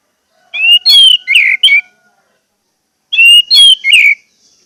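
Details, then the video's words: Orange-headed thrush, caged bird song used as a lure: two phrases of whistled notes with buzzy, rattling bursts, a faint low steady tone under the first phrase. "pancingan anis merah agar anis merah macet cepat bunyi dan gacor"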